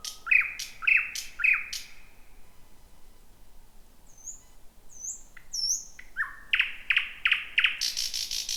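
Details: Thrush nightingale singing late at night in 2026 in a dense bushy spot: a rapid series of loud chock notes, a quiet gap with high whistles, then another run of hard repeated notes.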